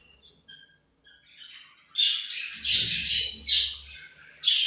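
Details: Pet budgerigars chirping in the morning: short bright chirps and squawky bursts, loudest from midway on, with quiet twittering at the start and a faint low rumble in the room.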